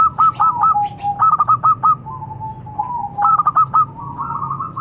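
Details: Song of a local zebra dove: short bursts of fast, stuttering trilled notes alternating with smooth, gently dipping coos, repeated in a cycle of about two seconds, with a low background hum.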